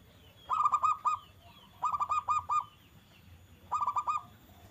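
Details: Song of a zebra dove used to make other doves respond: three phrases of four to five quick, bright, clipped coos, evenly spaced over several seconds.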